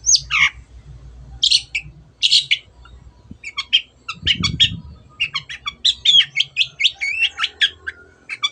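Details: Cendet, or long-tailed shrike, singing 'gacor' to prompt quiet birds to sing. Opening downslurred whistles with pauses, then a dull thump, then a fast stuttering stream of scratchy high notes and whistles.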